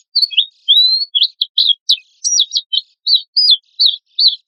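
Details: Oriental white-eye in active, harsh-burst singing used as a lure and training song for other birds: a string of high, thin, varied whistled notes, some slurred up and some clipped, broken by short gaps, with no other sounds.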